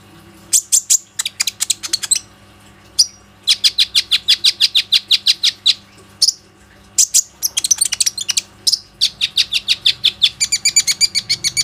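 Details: Lure song of a plain-throated sunbird, used to get other sunbirds singing, recorded with an Oppo A37f phone. Long bursts of rapid, piercing high chips come in fast trills, broken by short pauses and a few drawn-out thin whistles.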